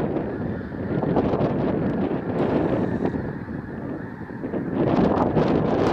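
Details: Snow geese landing in a field behind a house: a dense, overlapping chorus of many honking calls from a large flock, with wind noise on the microphone throughout.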